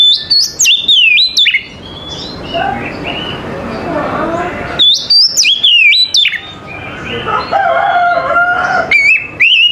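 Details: Oriental magpie-robin singing in the morning: loud bursts of clear whistled notes sliding up and down, rapid and varied, separated by quieter stretches with softer twittering and a background hiss.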